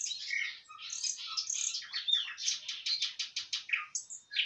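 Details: Common nightingale singing in Kursk, Russia: a rich, rapid run of varied whistles and chirps, then a series of loud, evenly spaced percussive notes repeated about three times per second, ending in a brief whistle.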